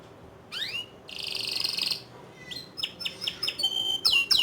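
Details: Canary singing in the ngerol nembak style: after a quiet start, a rising whistle and a buzzy rolled trill, then a string of quick sharp notes and fast repeated chips that grow louder toward the end.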